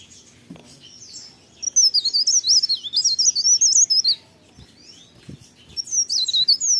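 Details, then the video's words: Leaf warbler singing vigorously in the morning, a long fast stream of high, zigzagging warbled notes lasting a few seconds, followed by a short silence and another bright twittering burst. "cikrak daun, pare pare, blerengan gacor pagi hari merdunya"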